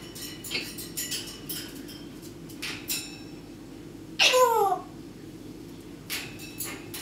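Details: Pet parrot at home mimicking fireworks with a single loud descending whistle like a rocket, amid scattered clicks and taps and a low steady room hum.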